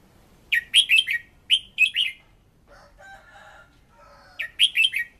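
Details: Decoy red-whiskered bulbul voice-training song: lively whistled phrases of rapid, bouncy notes at the start and end, with a soft, rough lower-pitched chatter heard in the middle.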